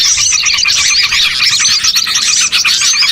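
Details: Bird-trapping lure of small birds: a crowded burst of bright chirps and rising whistled notes, dense and unbroken for three seconds.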